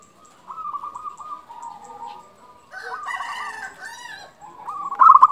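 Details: Local zebra dove, vocal and lively, kept to raise breeding mood and make rival doves answer quickly. Layered, rolling coos and short trills at a steady mid pitch, with a brighter, louder pulsed burst at the end.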